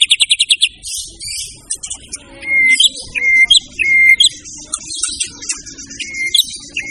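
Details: White-rumped shama singing: a burst of rapid, evenly spaced high notes, then clear slurred whistles repeated roughly every half second, mixed with scratchy high chatter.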